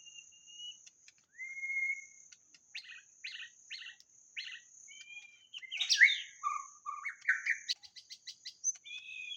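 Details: White-rumped shama song played to attract birds: thin whistles and a rising note, a string of dry clipped notes, then a burst of rich, rapid warbling and chattering phrases over a constant faint hiss.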